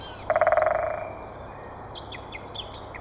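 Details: A female great spotted woodpecker drums a rapid burst of about a dozen strikes in just over half a second, fading at the end; the drumming attracted a male. Faint high bird calls follow.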